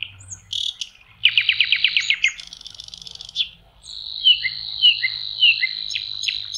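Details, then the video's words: In May beside a lake, a common nightingale sings a rapid rattling trill of about ten notes, followed by a dry buzzy chatter and a long level whistle broken by falling slurred notes. "Соловьи. Волшебное пение в мае. Nightingale singing"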